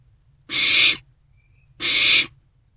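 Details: Nighttime nest-box recording of a barn owl owlet taking a newly delivered rodent in March 2024; a pair of broad, breathy screeches, each about half a second, spaced just over a second apart.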